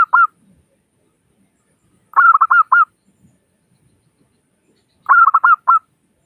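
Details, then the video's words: Local Zebra dove, used to prompt other doves to call, giving brief bursts of four or five rapid, rolling coo notes, repeated after gaps of about two to three seconds. "Suara Burung Perkutut Lokal Gacor Pancingan Perkutut Agar Cepat Bunyi"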